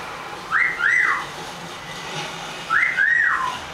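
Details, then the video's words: Twelve-month-old pet eclectus parrot whistling indoors: two matching clear whistled phrases about two seconds apart, each rising sharply, holding, then dropping away in a smooth falling slur. "Eclectus parrot talking and whistling"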